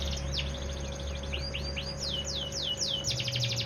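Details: Bottle-green AF canary, not yet put out in the sun, singing a series of loud whistled notes, each sweeping downward, repeated several times a second and closing in a rapid trill, over a steady low electrical hum.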